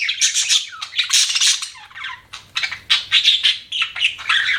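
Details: Harsh, buzzy budgerigar chatter: grating squawks in rapid pulses mixed with short chirps, coming in uneven bursts.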